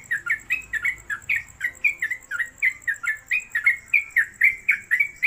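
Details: Trucuk, the Sooty-headed Bulbul, caged and singing its rapid 'konslet' song. Unbroken series of loud clipped whistled notes, about four per second, slightly varying in pitch, in a quiet room.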